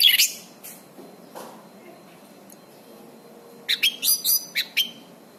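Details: Orange-banded thrush song for tutoring caged birds: a scattered high note at the start, a quiet gap, then a quick run of six piercing chirped and whistled notes near the end.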